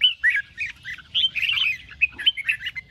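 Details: Red-whiskered bulbul in morning song, 'ché' style, meant to stimulate other bulbuls to sing. A short run of clear whistled notes and bubbly warbles, loud and bright, in quick succession.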